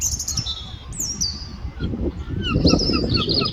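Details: Seagulls fighting over food: a crowd of overlapping shrill, downward-sliding squeals and mewing cries, some high and thin, some lower, with rumbling wind and background noise.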